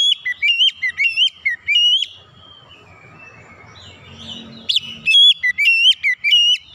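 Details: Kacer, the oriental magpie-robin, in loud therapy song meant to coax raw birds into opening their beaks and singing: rapid repeated whistled phrases with abrupt jumps in pitch, a soft scratchy low interlude, then strong whistled phrases again.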